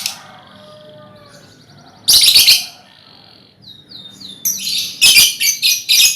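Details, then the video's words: Colony of lovebirds, a lure to set off trilling: loud rapid screechy chatter in bursts, thin whistled notes and short metallic chips between, then a run of harsh repeated shrieks near the end. "Suara Lovebird untulan koloni cocok buat pancingan ngekek"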